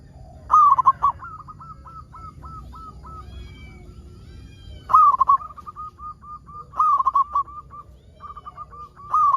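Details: Local zebra dove in full song, used to prompt other zebra doves to sing: a loud bubbling opening phrase followed by a long run of soft, evenly spaced cooing notes, repeated several times with brief pauses.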